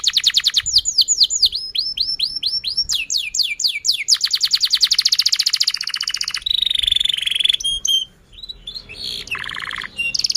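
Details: Canary singing long, energetic song meant to prompt other canaries to sing: rapid repeated down-slurred whistles, fast trilled rattles and buzzy high phrases in quick succession.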